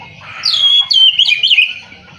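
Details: Brief song of an Oriental magpie-robin: a bright whistled note that glides downward, then a quick run of warbling, looping phrases.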